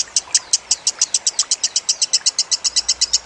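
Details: Lovebird training (masteran) recording: a steady series of sharp, high chirps, about three each second, evenly spaced, each with a bright upper tone, over a faint hiss.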